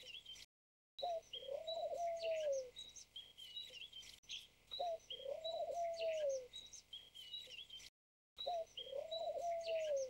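A White Turtle Dove gives a long, soft, rolling coo that rises then falls, three times about every three seconds, while small birds chirp high behind it.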